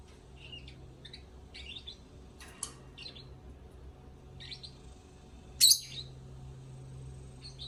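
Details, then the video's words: Lovebirds singing in scattered high chirps and twitters, with a single loud shrill squeak late on, over a quiet low hum. "Love Birds Singing"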